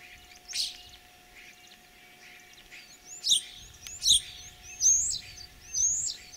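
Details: Common starling singing in spring, 9 April 2023, Kalyazin district, Tver region, Russia: harsh screechy bursts alternate with short upward-curving whistles. The loud phrases come roughly every second in the second half.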